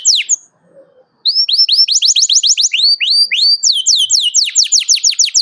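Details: Canary giving 'cuit cuit' rival-calling chirps, used as a lure for young canaries learning to sing: two sharp notes, a short pause, then a long series of rapid rising whistled sweeps.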